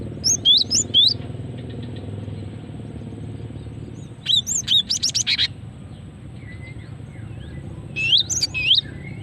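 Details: Female cinereous tit call for luring birds and prompting song: three bursts of rapid high chirps and bright whistles, each under two seconds, spaced by quieter stretches with a faint background hum.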